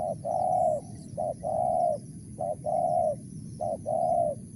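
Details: Wild spotted dove with a crisp 'mersik' voice, giving low cooing phrases: a short clipped note, then a longer steady hollow coo, the pair repeated about every 1.2 seconds, four times over.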